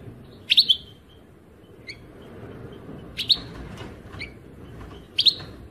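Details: European goldfinch singing, from 2018: three short, bright chirping bursts, each a quick cluster of high notes, spaced about two and a half seconds apart over quiet background hiss.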